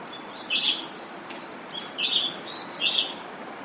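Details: Common starling song of three rough, chattering bursts spaced about a second apart, each dense and scratchy, over a faint steady background hiss.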